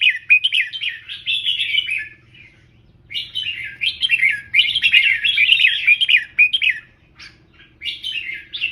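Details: Tutor Red-whiskered bulbul delivering professional 'double 3' style song meant to teach other birds: long runs of fast, bubbly, warbled whistles broken by short gaps, with a soft low rumble underneath.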